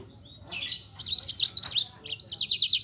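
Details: Yellow-fronted canary (Mozambique canary) in lively rolling song, used as a lure to prompt reluctant birds to sing: a quiet start, then rapid high buzzy trills and sliding whistled notes in bursts, with a brief gap before the final run.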